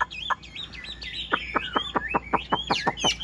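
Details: A newly arrived caged yellow-billed Chinese hwamei sings on a rainy morning. Looping whistled slurs lead into a steady series of short, sharp, descending notes, about three per second.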